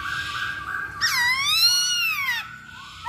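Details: Provoking lure of a masked laughingthrush: a flat whistle gives way to a long, loud, wavering wail rich in overtones that sags and fades, with a soft upward note at the end.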